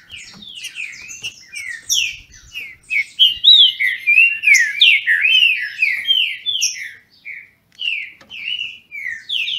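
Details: Trinca-ferro song contest between captive birds at a Brazilian breeder's: dense, sweeping whistles and bright slurred notes build to a loud central run, then separate clear phrases follow with short pauses.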